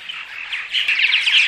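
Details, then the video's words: Purple martins giving morning vocalizations meant to attract martins: a brief burst of dense, overlapping gurgling chirps that grows louder and busier toward the end. "Morning Vocalizations CD (6 hour loop) - Attract Purple Martins"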